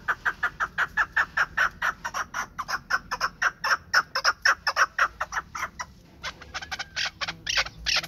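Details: Chukar partridge of the Pamir, a hunting partridge, giving a long fast run of harsh chuck notes, about two per second, which grows louder and more crowded toward the end.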